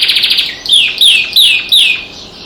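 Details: Canary kept as a pet, singing alongside birds outside the window: a quick rattling trill followed by four loud, bright, downslurred whistled phrases repeated at even intervals.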